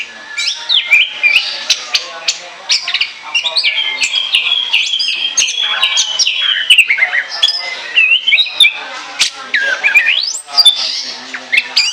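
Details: Orange-headed thrush in full song, meant for use as a lure: a long, continuous stream of varied whistles, trills, sharp chips and mimic-like phrases, dense and energetic with no pauses.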